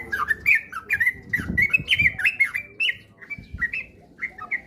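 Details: Lure song of the trucukan (sooty-headed bulbul) for prompting fast, frequent singing: bright chattering whistles, each note sharply inflected, delivered in a near-unbroken stream, with soft low thuds beneath.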